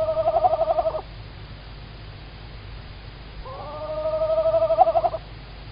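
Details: Close female tawny owl in Estonia, evening of 9 March 2019: two wavering, pulsing hoarse calls, about one and two seconds long, separated by a pause, over a constant low hum.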